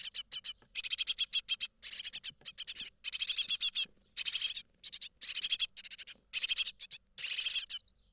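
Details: Great tit chicks about to fledge, calling inside a nest box camera in Israel on 31 March 2021: continuous runs of fast, shrill, chittering begging notes from several nestlings, roughly one burst per second, no other sounds.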